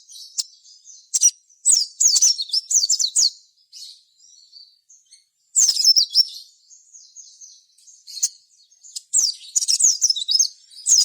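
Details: Crimson sunbird, played as a lure to set other birds singing, gives bursts of shrill, rapid, squeaky twittering and slurred whistles separated by short quiet gaps.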